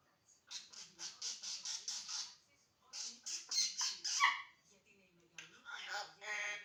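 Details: Pet African grey parrot talking indoors, which talks day and night: a run of rapid, breathy, speech-like syllables, a pause, then more mimicked chatter with a brief whistled squeak.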